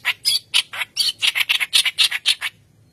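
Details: White-browed reed warbler singing vigorously, recorded as a lure for training young birds: a rapid, unbroken string of about a dozen harsh, rasping chatter notes lasting two and a half seconds, then silence.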